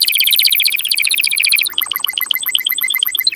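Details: Canary singing to encourage females into mating posture: a quick high trill that shifts midway into a slower, more spaced chirping rattle.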